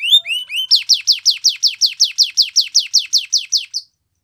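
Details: Training song of a Spanish Timbrado canary, beginning with a few rising notes, then a steady series of about fifteen bright downslurred notes at an even pace before stopping.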